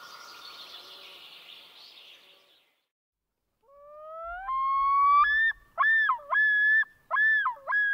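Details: Loon, one of four loon species found in Lithuania, gives a rising tonal call after a stretch of soft hissing noise, then breaks into loud wavering, yodel-like phrases that dip and rise, each about half a second long.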